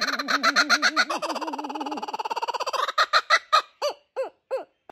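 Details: Laughing kookaburra in Manningham, Australia, giving its raucous territorial laugh: rapid rolling hoo-hoo notes building into a chattering cackle, then slowing into a few loud, spaced ha-ha calls.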